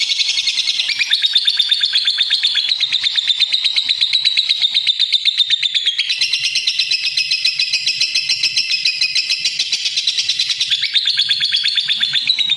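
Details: Lovebird chattering in a long unbroken run of rapid, high, harsh chirps, about three per second, with a short break near six seconds before the shrill stream resumes; no other sounds stand out.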